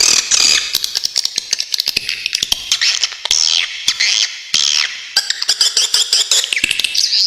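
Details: Swiftlet recorded very clearly as tutor material for songbirds: shrill buzzy twitters swooping up and down, broken by sharp clicking ticks, in an unbroken busy stream.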